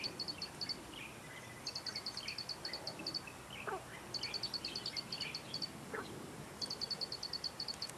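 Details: Plain prinia of the Taiwan endemic subspecies flavirostris, recorded 2 June 2019 at Dianbao River, Taiwan. It gives four bursts of rapid, high, evenly spaced ticking notes, each lasting one to one and a half seconds. Other birds chirp faintly behind.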